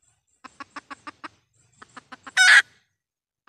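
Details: Lure call of a red junglefowl hen, used in trapping wild junglefowl. About a dozen soft, regularly spaced clucks lead into a single loud, grating squawk, followed by a lone cluck.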